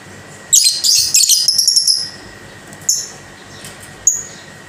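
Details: Caged lovebird with a burst of rapid, shrill chattering followed by two single high squeaks, over a low steady hum.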